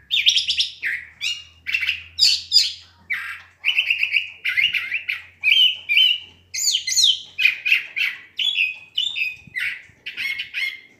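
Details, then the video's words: Curve-billed thrasher singing at dusk: a continuous run of varied, rich whistled and warbled phrases, each short and high, following one another almost without pause. "huiclacoche cantando al anocheser"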